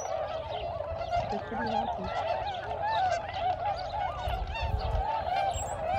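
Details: About 1,522 tundra swans gathered in spring at Aylmer Wildlife Management Area, Ontario, call in a dense flock chorus: countless mellow, high hooting and yelping calls overlapping continuously over a low rumble of wind or distant noise.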